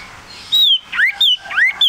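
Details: Male common iora (cipoh), a tame, lively small yellow bird: loud clear whistled notes, alternating falling slurs near the top and rising swoops below, about five in two seconds.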